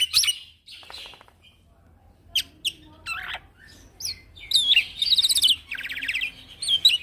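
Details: Song of a young male black-winged myna, used to train other birds: scattered harsh squawks and chips, then a long, loud, buzzy rattling phrase with whistled slurs near the end.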